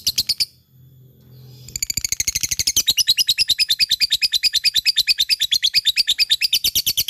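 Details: Fighter lovebird in full ngekek: after a short gap, an extended rapid rattling chatter of shrill, buzzy pulses in a fast even rhythm, sustained without pause to the end.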